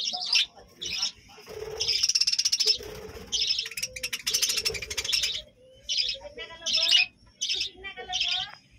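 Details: A colony of budgerigars at a rural home chatters steadily: dense, buzzy chirping runs mixed with short sharp tweets and squeaks in quick succession.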